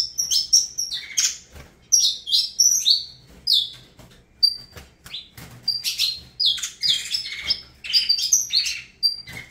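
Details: Saffron finch song, Avalanche line: long sequence of high whistled slurs, buzzy trills and clipped chirps in bursts separated by short gaps, lively and varied throughout, no other sounds.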